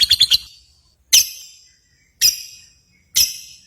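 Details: Lovebird competition sounds: a quick triple of shrill notes, then single sharp, piercing squeaks repeated about once a second with silence between them.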